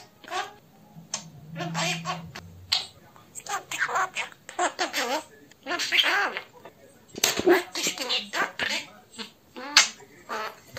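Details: A pet talking budgerigar named Kubuś, shown in a talking-bird contest clip "talking with a pen", chatters in quick, raspy, high-pitched mimicked Polish speech, broken by clicks and short pauses, with light tapping in a small room.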